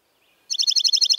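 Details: Dark-eyed junco: a faint thin note, then an abrupt, loud, rapid trill of evenly repeated high chips.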